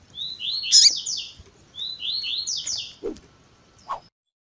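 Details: Tui tui zel zel song of a Double-collared seedeater mixed with a female's calls: two matching phrases of rising then slurred descending whistles about two seconds apart, followed by two short low chirps.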